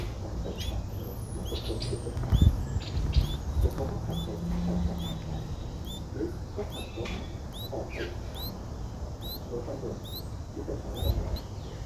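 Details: Begging from three-day-old Streak-eared Bulbul nestlings, recorded 5 April 2023 in Ubon Ratchathani, Thailand: a run of sharp, hooked high squeaks, each rising then dipping, repeated every half second or so above a deep background hum with occasional knocks.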